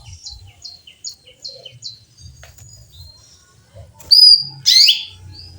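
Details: Female canary chirping to call a male: faint, evenly spaced short high notes at first, then two loud, bright, downward-sweeping chirps close together near the end.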